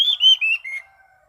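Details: Orange-sided thrush singing in a relaxed, clear 'ngeplong' style: a loud whistled phrase stepping down from high to lower pitch in three slurred notes, then a quiet fading tail.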